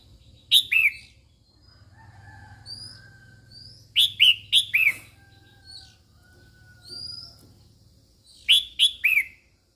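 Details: Female red-whiskered bulbul singing to stimulate males in repeated bursts of two to four loud, falling whistled notes, separated by quieter thin, rising whistles and soft background hum.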